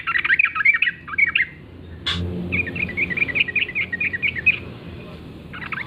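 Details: Yellow-vented bulbul, a wild bird in the forest in the morning, singing lively bubbling phrases of quick, rolling, chattering notes in two bursts, separated by a single loud click and a short pause.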